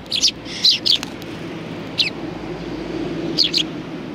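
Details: Sparrows perched on a bench at a Tenmangu shrine on 30 January 2020 give scattered sharp, high tweets in small groups of two or three, separated by quiet gaps with faint low rumble behind.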